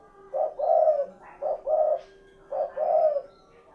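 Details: Spotted dove giving low, mellow coos: three two-part phrases, a short hoot then a drawn-out throaty coo, against a faint steady hum.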